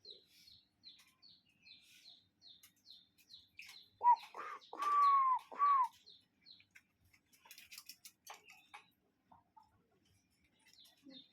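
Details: Cuckoo in a natural setting: three loud whistled notes, short, long and short, each with a downward curve at the end. High, quiet chirps repeat steadily in the background before and after, with scattered clicks.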